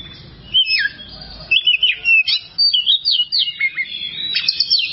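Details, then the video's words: Oriental magpie-robin, called kacer, in a long training song for other songbirds: after a short pause, a run of rapid zigzag whistled notes repeated in quick succession, bright and loud. "masteran burung Kacer durasi panjang"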